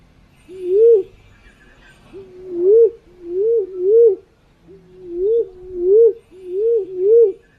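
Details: Green pigeon calls played as a lure: a run of eight mellow, wavering whistles, each rising then dropping. Some come in close pairs, with short gaps between groups. There is faint background noise.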